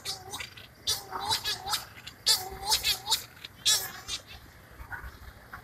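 Scopoli's shearwater giving harsh, nasal, wailing calls in short bursts, almost like a crying baby, several in quick succession with brief pauses.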